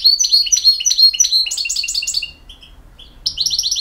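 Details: European goldfinch from BiH in campero song: quick sequence of bright, tinkling, stepped notes, a brief pause with two soft whistles, then a fast rattling trill.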